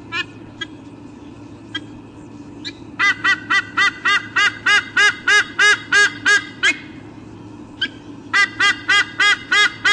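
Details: A pair of eagles on a nest camera at Sydney Olympic Park, Australia, on 3 August 2014, squawking before swapping nest duty. A few scattered calls give way to a steady run of loud, harsh, honking squawks about three per second, with a short pause before they resume.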